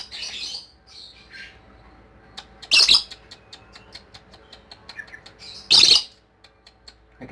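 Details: A lovebird's ngekek chattering: brief scratchy notes, then two loud, harsh, noisy squawks about three seconds apart, with soft quick clicks filling the gaps.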